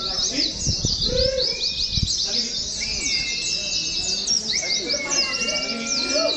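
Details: Several Oriental white-eyes in cages, gathered in a mock contest setting for song training. Rapid high chirps pour out without pause, with flat drawn-out whistles and a few low knocks near the start.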